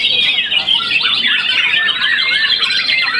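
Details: Brief burst from a young white-rumped shama after its first moult, a contest champion: high, shrill, tightly packed warbling with thin sliding whistles.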